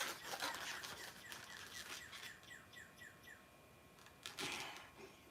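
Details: In spring, a northern cardinal sings energetically outside near a bird-feeding spot: a quick run of about ten clear, downslurred whistles, heard from indoors over squeaky rubbing and rustling close by.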